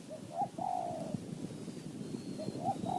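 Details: Spotted dove, a wild bird in Thai mountain forest whose calls are counted in the throw-and-call style: a short note, a quick rising note, then a long drawn hoarse coo, followed by a second phrase starting, with faint distant thin whistles.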